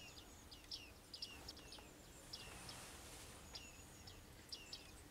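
Bearded reedlings give short, high, metallic pings that dip in pitch, scattered irregularly, about a dozen in five seconds. A steady breezy rustle runs beneath.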